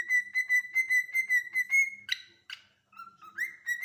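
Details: Cockatiel holding a long, slightly pulsing whistle on one pitch, then two harsh scratchy chirps, a pause, and a low note sliding up into another steady whistle.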